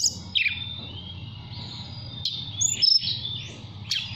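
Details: Mountain tailorbird kept caged in Purworejo, Central Java, calling a female: sparse high whistled notes and short sliding chirps separated by gaps, with a steady low background hum throughout.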